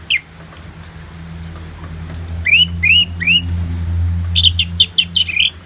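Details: Orange-headed thrush, recorded for song therapy with natural rain sounds: a few spaced whistled upslurred notes, then a quick stuttering series of bright whistles, over a low rumbling background hum.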